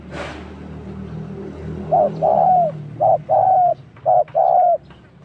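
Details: Spotted dove cooing as a decoy bird during trapping, where a pair was caught: after a noisy start, three mellow coo phrases, each a short note then a longer drawn-out one, about a second apart.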